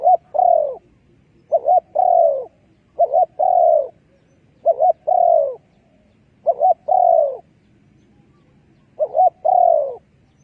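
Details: Decoy recording of a spotted dove for trapping: six phrases, each two quick short coos leading into a longer, downward-sliding coo. The phrases are repeated every couple of seconds against quiet surroundings.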